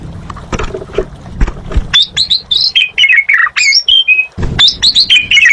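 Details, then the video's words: Asian pied starling singing gacor: after some low knocking sounds, a lively run of whistled, rising and falling slurred notes and squeaky chirps follows almost without a break. "Suara Burung Jalak Suren Gacor"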